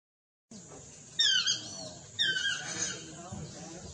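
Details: Chestnut-mandibled or Swainson's toucan giving two loud yelping calls about a second apart, each a falling note with strong harmonic overtones, over a quiet hiss of background noise.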